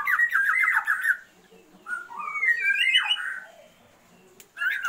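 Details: Oriental magpie-robin female calling to stir a male's breeding drive, giving bursts of loud fluttering whistled phrases with quiet gaps between them and a faint background hum.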